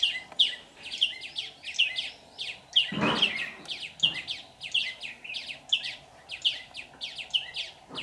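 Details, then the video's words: Red-whiskered bulbul decoy singing to lure wild birds into a trap, 15 July 2019: bright chirped notes repeated roughly every half second, with one dull thump partway through and a quiet background. "Bẫy chào mào"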